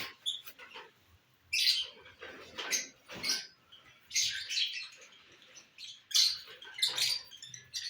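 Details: Lovebirds enjoying bhutta (corn cob), recorded 18 December 2022; shrill, high chirps come in bursts, with several clustered squeaky outbursts spread across the eight seconds and quieter scratchy noises between them.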